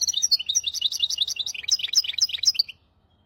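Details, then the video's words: Tutor song of a hybrid finch, styles maestro, hafada and widani, for training goldfinches and canaries: a fast run of sharp, high chirps about four per second, varied in pitch, stopping abruptly into silence. "تغريد رهيب طائر الهجين ميسترو حفاضة ويداني لتعليم طيور الحسون والكناري بدون أخطاء"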